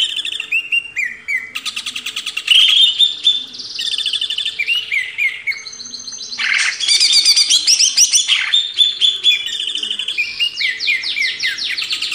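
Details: Greater green leafbird master song for cage-bird training: a continuous high medley of quick chirp series, sliding whistles and buzzy trills that changes phrase every second or two, with no real break.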